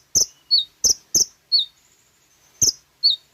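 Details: Sooty-headed bulbul song used to lure caged birds: sparse, sharp high notes alternating with slightly lower downslurred whistles, with short gaps between them.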